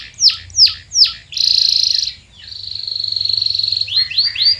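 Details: Canary singing as a lure to start silent birds singing: three sharp downslurred notes, then a loud buzzy roll and a long even trill ending in quick upslurred chips.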